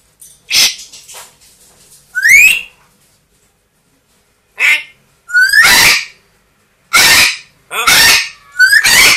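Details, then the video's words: Pet parrots indoors, a two-year-old African grey and a one-year-old Amazon, giving loud harsh screams: rising, rasping squawks in bursts about a second long, separated by short silences, with shorter sharp calls between them. "quelques mot et bruitage des perroquets"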